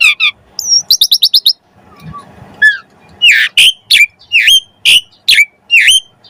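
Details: Energetic Asian pied starling song used to coax other birds into singing: a quick run of clipped chirps, a brief quiet pause with faint background rumble, then loud repeated swooping whistles about every half second.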